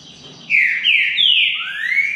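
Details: Green-winged saltator in a singing contest between two birds, giving loud, rich whistled phrases: three quick downslurred notes, then a long rising whistle, bright and clear over a faint low hum.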